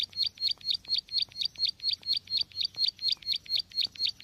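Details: Bar-winged prinia call used as a lure for trapping: a sharp chirp with a high downward flick, repeated about twice a second in a steady run; faint low hum beneath.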